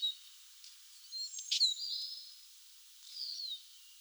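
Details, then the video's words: Eurasian siskin giving soft, high-pitched calls: a sharp chirp followed by a thin, slightly descending whistle, then after a pause another wavering whistled note, all faint against quiet surroundings. "Чиж (Spinus spinus), Eurasian siskin. Голос птаха, the voice of a bird."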